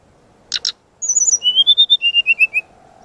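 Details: Brown-chested jungle flycatcher song as training master: two sharp chips, then a series of about ten clear whistled notes rising then falling in pitch.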